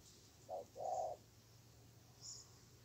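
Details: Wild spotted dove on sloping marshy field ground, fiercely holding its ground while answering a weak caged decoy during trapping; two low, soft hooting coo notes, the second longer, in a quiet background with faint high hiss.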